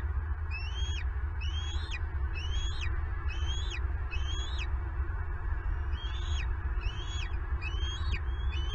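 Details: Wild American bald eagle at its nest in Southwest Florida, filmed by a live nest camera during season 11 as an intruder stole a turtle breakfast; thin high whistled notes repeat about every 0.6 seconds over steady low wind-like rumble.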